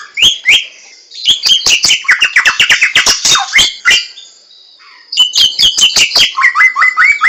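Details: Samyong, the White-crested Laughingthrush, in the wild: fast chattering bursts of rising whistles and clicks, a brief pause after four seconds, then renewed loud upward-slurred whistled notes.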